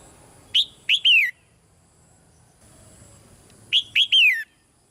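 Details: A caged female red-whiskered bulbul gives soft calls meant to make a male sing louder. The same phrase comes twice, about three seconds apart: two short whistled notes and a longer downslurred third.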